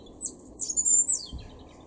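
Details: European robin singing in a garden in Weener, East Frisia, northwest Germany, in April 2021: a brief, very high, thin whistled phrase that rises and falls in quick slurred notes for about one second, with faint low background hum.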